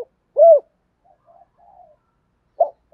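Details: Spotted dove of the thổ pha đồng voice style, cooing to call in wild doves: one loud arched hollow coo, faint soft murmurs, then brief clipped notes near the end.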